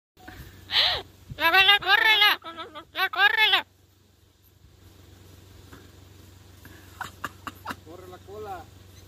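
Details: A free-flying Northern mealy amazon gives loud, harsh, rasping squawks in quick bursts, then softer, shorter calls after a pause, with faint outdoor background noise.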